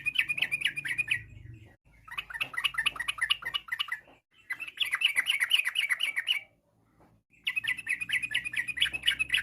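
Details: Yellow-vented bulbul, locally trucuk, singing a fast ropel-style variation used to prompt replies from other bulbuls: three dense runs of quick, bubbly chirps separated by brief silences, with faint low background hum.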